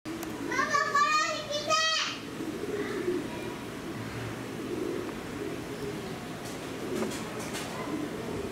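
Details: Indian peafowl in an aviary at a small poultry-farm zoo in Okinawa, Japan, recorded 12 May 2019: two loud, harmonic, nasal wailing calls in quick succession, then low crowd murmur and distant background noise.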